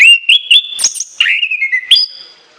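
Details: Orange-headed thrush delivering piercing whistled notes: a steady rising whistle, a high sharp flourish, then a falling, trilled phrase ending on a clear held tone.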